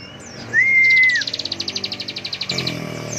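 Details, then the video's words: Bar-winged prinia in full-power ngebren song: one clear level whistle, then a quick run of about fifteen sharp, high, evenly spaced buzzy notes, ending in a denser burst. "Ciblek gacor NGEBREN suara penuh emosi tembakan full power"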